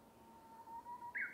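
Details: Japanese bush warbler singing amid bamboo forest ambience: a long, steady, low whistle builds gradually, then snaps up into a bright, higher burst at the end.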